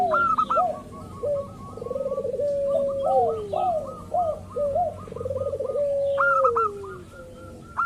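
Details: Local zebra dove, a lure to prompt other doves to sing: long sequences of quick clipped notes run above repeated low warbling phrases and falling coos, with overlapping callers.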